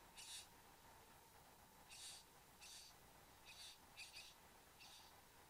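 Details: Male and female satin bowerbird at their bower in Australia, 9:05 am on 15 November 2014, on a bower camera: six soft, high, hissy buzz notes in loose pairs and singles over a faint constant hum.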